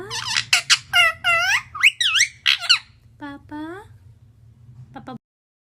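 A young Alexandrine parakeet gives a rapid series of harsh, rasping squawks, about a dozen in three seconds, then a few softer calls over a low indoor hum.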